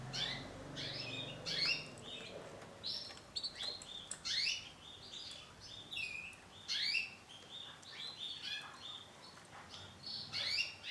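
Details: Female isabel-coloured canary calling; a steady stream of thin, high chirps and short upward-sliding notes, some louder, with faint low rumble and background noise.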